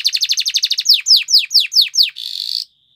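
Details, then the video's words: A Spanish Timbrado canary sings a training song: a quick run of bright ticking notes, then six slower ringing downslurred whistles, ending in a buzzy sustained trill that cuts off into silence. "Canary Bird Singing Training"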